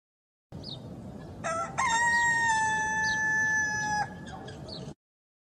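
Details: A single rooster crow, opening with short rising notes and then a long steady drawn-out tone lasting over two seconds, over a low background rumble with faint higher chirps.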